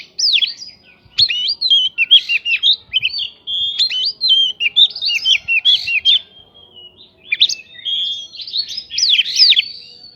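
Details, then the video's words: Oriental magpie-robin delivering prinia-filled bait song to trigger replies from other birds: clusters of ringing, looping whistles and sharp chips in repeated bursts, separated by brief silences. "PANCINGAN KACER BIKIN EMOSI ISIAN PRINJAK BIKIN BURUNG LAIN CEPAT RESPON GACOR"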